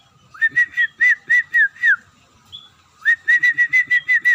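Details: Scaly-breasted munia singing actively, a rapid run of loud whistled notes several per second, pausing briefly before a second run of evenly spaced whistles.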